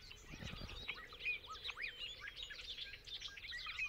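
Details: Bobolink, a member of the blackbird family, in a rapid bubbling song of tumbling metallic notes jumping up and down, with faint low rumble early on.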